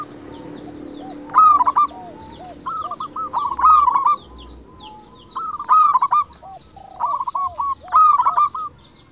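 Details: Zebra dove of a local type, 'crystal'-voiced, singing as a lure to provoke replies and stimulate breeding drive. Five bursts of quick stuttering coos, about every one and a half seconds, each followed by softer descending coo notes.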